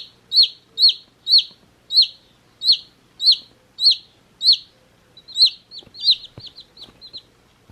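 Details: Day-old chicks in a beach hat give loud high downslurred peeps at an even pace, nearly two a second, ending in a quicker jumble of shorter, softer chirps and a faint thump.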